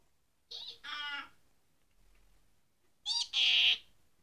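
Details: A one-year-old pet Senegal parrot in Ireland imitates a donkey's hee-haw: two pairs of harsh, harmonic-rich squawks, a short note then a longer braying one, repeated after a pause.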